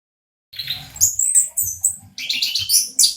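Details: Orange-headed thrush, local variety, singing to prompt silent birds to sing: dense bursts of high chattering and squeaky notes after half a second of silence, in rapid phrases.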